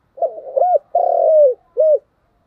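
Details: One spotted dove phrase of continuous thúc gù cooing: a low stuttering start, a short arched coo, a long coo easing downward, and a clipped closing note.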